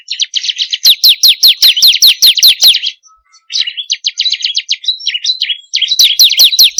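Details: Lure recording of bar-winged prinia song meant to stimulate kept birds: dense high downslurred notes in a rapid train, a near-silent gap, then quicker clipped ticking phrases and another fast run of slurred chirps.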